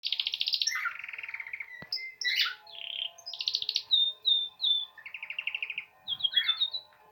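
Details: Canary beginning to sing in spring: rapid buzzy trills alternate with clear whistled notes and short chirps, the phrases changing every second or so, high-pitched and bright throughout.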